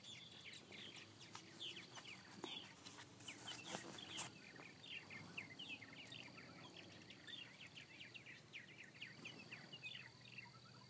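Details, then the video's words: Purple martins, more than fifty flying high overhead after several hawk attacks; a dense chorus of short, high chirps and gurgling notes tumbles on without pause, over steady outdoor background noise. "Purple Martins after several hawk attacks"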